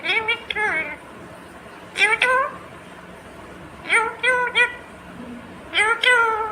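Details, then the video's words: Green ringneck parrot talking, producing short speech-like phrases of several syllables in a high, nasal voice, repeated about four times with pauses, over a faint steady background hum. "Natural Sound of Talking Ringneck green parrot"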